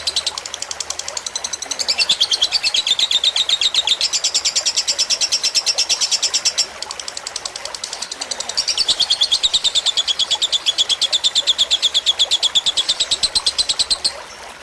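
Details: Lovebird fighter tutor song recorded with trickling water to help birds learn; two long sustained streams of rapid, piercing chatter separated by a short quieter break near seven seconds.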